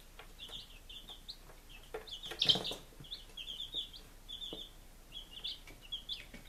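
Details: Five-day-old baby chickens in Lunenburg, Massachusetts, July 2017, peeping constantly; many short high cheeps overlap in quick succession, with a brief louder knock or rustle near the middle.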